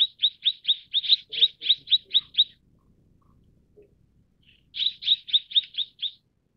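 Mrs. Gould's sunbird gives quick runs of high, sharp chip notes, about four a second, in two bursts split by a short pause.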